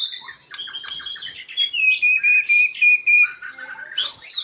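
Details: White-rumped shama song to rouse other birds into singing: chattering notes leading into clear whistled phrases repeated several times, then a bright high upslurred whistle.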